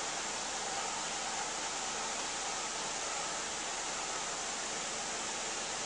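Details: Even, unbroken hiss like static or rushing air, with no other sound.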